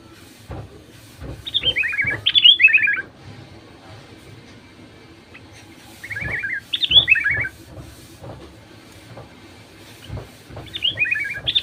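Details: Sooty-headed bulbul song used as a lure to make other bulbuls, including reluctant ones, sing: three bubbly phrases of quick descending whistled notes, each about two seconds long, spaced several seconds apart over faint background clicks.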